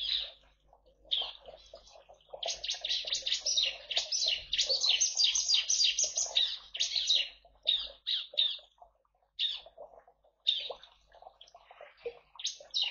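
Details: Bar-winged prinia singing in an aviary alongside white-eyes and various finches, used as a lure: a rapid, continuous run of sharp, repeated high notes, broken by short pauses, with a faint low hum during the first part.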